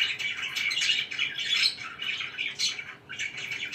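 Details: Household budgies keep up a continuous scratchy warble, loud chattering phrases broken by a brief lull before more squeaky chirps resume.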